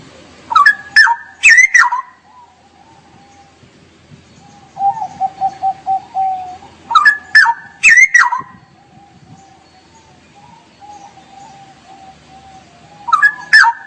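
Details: Straw-headed bulbul, 'gacor' song in 'ngerople' style: three loud bubbling warble phrases roughly every six seconds, with a run of soft, evenly pulsed low notes between them.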